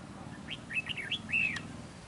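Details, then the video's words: Red-whiskered bulbul calling at a fight trap, in a territorial contest with a decoy bird; a quick run of five bright, slurred whistled notes, each bending up then down, loudest at the end, over low background hum. "Bẫy đấu chào mào HỌNG DỊ SIÊU HẦU"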